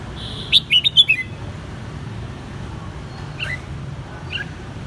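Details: Caged red-whiskered bulbul, kept since its white-cheeked juvenile stage, gives a quick burst of four or five bright, rising whistled notes, then a couple of faint notes later over a low background rumble.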